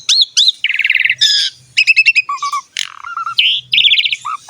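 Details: Asian pied starling song used to encourage young or lazy birds to sing: arched whistles, fast rattling trills, paired low whistled notes and chirping runs in quick succession.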